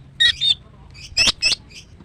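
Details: Female greater green leafbird, a kept songbird, used to coax a silent bird into singing; two bright chirping bursts near the start, then two sharper squawky notes a second later and a faint final chirp.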